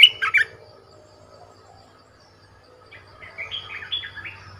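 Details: Decoy Red-whiskered bulbul opening with a loud chirping burst, then after a pause a softer series of wavering whistled notes over a low background hum.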